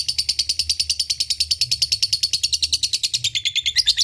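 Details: Lovebird ngekek lure to get other lovebirds calling back: an unbroken rapid high chatter, evenly pulsed about seven times per second, slightly rougher near the close.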